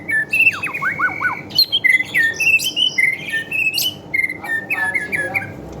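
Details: White-rumped shama, a Medan-type bird performing in bowing style, sings a varied run of clear whistles. Rising and falling notes alternate with quick downward slurs and sharp high chips in a rich, continuous medley, used as a lure for training other birds.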